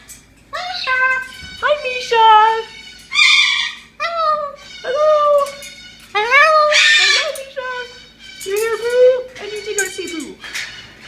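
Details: Talkative male pet Moluccan cockatoo chattering indoors: a string of mimicked word-like phrases, harsh and nasal, with sliding pitch contours, delivered in quick bursts with brief gaps across eleven seconds.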